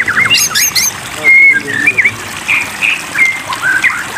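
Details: White-rumped shama singing against running water used as therapy to prompt singing: a fast high twittering burst, then clear drawn-out whistles and short slurred notes, with a loud gushing splash midway.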